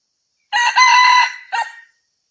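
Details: Red junglefowl crow, used as a hunting lure: one loud, harsh, harmonic-rich note held for about a second, then a short clipped final syllable after a brief gap; no other sounds.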